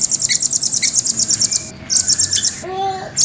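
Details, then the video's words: High, fast, evenly pulsed trill from a caged velvet-fronted nuthatch, a red-billed bird that creeps along cage edges, briefly broken by a faint lower tone near the end. "Rambatan gacor jernih,speed rapat ngeroll panjang"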